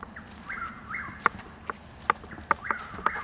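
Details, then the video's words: Chuck-will's-widow in Florida woods at Hungryland Slough, Palm Beach County, 21 March 2015, two hours before sunrise, Nikon Coolpix AW100 recording: two quick whistled phrases that rise then slide down, with several loud nearby clicks and taps. "Chuck-Will's-Widow - Bird Call"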